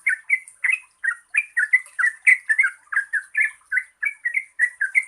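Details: Yellow-vented bulbul, locally trucukan, delivering rapid 'gacor ropel panjang' song intended to prompt birds that sing little. Rich, bubbling, slightly rising phrases follow each other almost four per second, backed by a soft steady high hiss.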